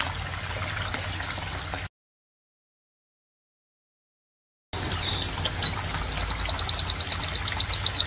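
A white-eye sings very high, thin notes: a few quick downslurred whistles, then a rapid, even trill of about four notes a second. A faint trickle of water sounds beforehand.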